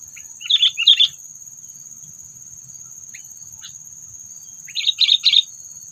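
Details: Two clusters of rasping, bubbly chirps from a sooty-headed bulbul, a call played to provoke predators in bird trapping, separated by a few faint notes, with a constant high whine behind.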